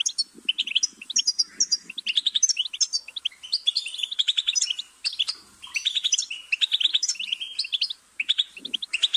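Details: Goldfinch with a busy, twittering song of rapid chirps and liquid trills, nearly continuous, pausing briefly twice, with a faint low murmuring buzz early on.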